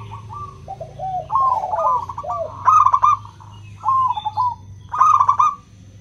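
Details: Zebra dove of local stock in a 'kristal' song, played to coax reluctant doves into singing: staccato bubbling coo phrases, several overlapping, with three loud trilled bursts near the end.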